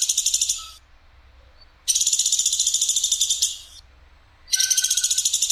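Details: Woodpecker, platuk sampit, with a harsh, sharp, clear call. Three dense rattling bursts, each made of rapid, even pulses, come at gaps of about one second.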